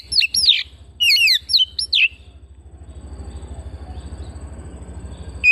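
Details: Oriental magpie-robin kept at home: clear, twisting whistles and sharp downslurs in short bursts at first, then a long quiet stretch of low pulsing background hum before a final brief note.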